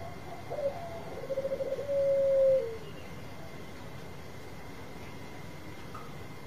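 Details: Bangkok-type zebra dove with a loud voice, used to lure other doves to answer: soft low cooing notes build into a drawn-out purring coo over a steady hum.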